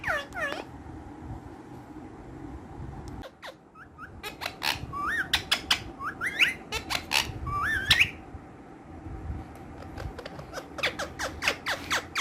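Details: Pet green ringneck parrots, active and playful, uttering a run of sharp clicks and short rising whistled squeaks, with a few harsh downward calls at the start and steady low background hum.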